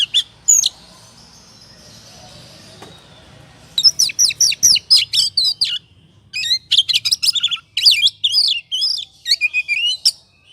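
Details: Oriental magpie-robin ngobra song used to goad singing: a few sharp notes over low background hum, a quiet stretch, then bursts of rapid, scratchy and whistled phrases in two long runs.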